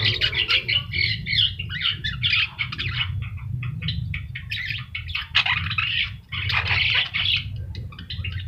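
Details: Javan myna, yellow-eyed, singing at full volume as a master recording for training birds: loud grating chatter and squawky bursts with a brief pause near the middle, constant low droning hum underneath.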